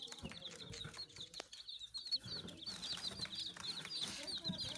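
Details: Baby chicks giving a steady stream of high, thin peeping chirps, repeated rapidly and overlapping from several birds, over a soft low background murmur and occasional knocks.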